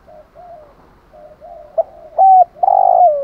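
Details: Soft, low murmured coos from a spotted dove build into a loud phrase: a clipped note, a level coo and a long buzzy coo slurring downward, used as a luring call.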